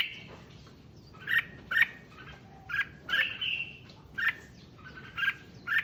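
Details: Red-whiskered bulbul song played to excite other bulbuls: moderately soft, evenly spaced chirped whistles with one longer slurred phrase, over a background hiss.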